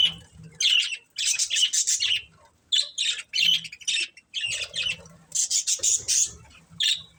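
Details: Budgerigar breeding pair producing clustered bursts of harsh, high chirps and squawks, grouped in short runs separated by quiet gaps.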